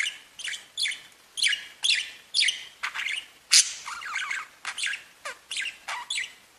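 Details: Budgerigars singing and tweeting: a busy run of sharp chirps, squawks and clicks packed closely together, some notes sliding downward.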